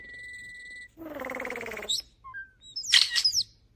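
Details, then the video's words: Common starling mimicking human speech: a steady pure whistle, then a rising, voice-like harmonic phrase, followed by quick chattering, squeaky and buzzy notes. "A starling that makes sounds like a human."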